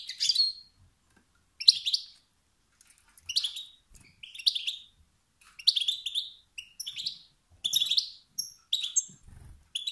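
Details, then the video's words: European goldfinch male, calls said to trigger competitive singing in other males; sharp twittering bursts with upswept notes, repeated roughly every second, with brief quiet gaps between. "ستستات و بتبتات ذكر الحسون الخلوي التي توقد النار في الذكور الاخرى"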